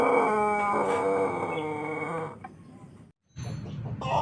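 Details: Pelung chicken from Plered in Purwakarta: the closing part of a long harmonic crow, steady and slightly wavering, fades out, followed by a short gap and faint background noise with a soft high note.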